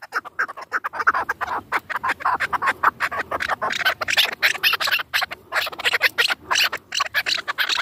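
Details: Hunting chukar partridges from Dashti Jum: rapid, loud, overlapping chattering and chuckling notes at a fairly high pitch, continuing without pause across the whole stretch.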